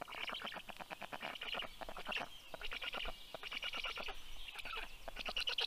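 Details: Black stork nest, Karula National Park, southern Estonia, 6:06 am, June 2023, as an adult female arrives with food for the chicks; quick stuttering bursts of rasping pulses, several series back to back, with low rumble beneath.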